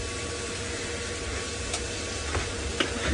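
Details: Steady hiss and low rumble with a few faint ticks and knocks, and no animal calls.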